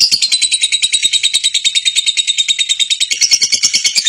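A lovebird delivers a long, unbroken stream of shrill, rapid chirps and squeaky trills, about eight notes a second, with no other sounds around it.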